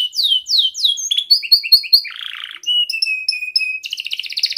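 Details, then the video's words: Young canary song used to train young canaries: a run of falling chirps, then clipped repeated notes, a short harsh buzzy burst, a steady whistled trill and a closing dense roll. "Kenari Gacor Muda Rol Rapat Cuit cuit ngeroL"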